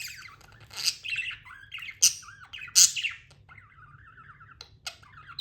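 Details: Pet budgerigar chirping: sharp bright chirps rising to high pitch, interspersed with soft wavering warbled notes, in a quiet room.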